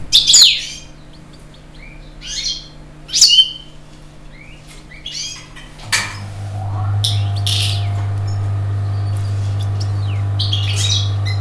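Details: European goldfinch giving short, scattered chirps and bright twittering notes, with quiet gaps between bursts; a steady low hum starts about halfway through and continues to the end.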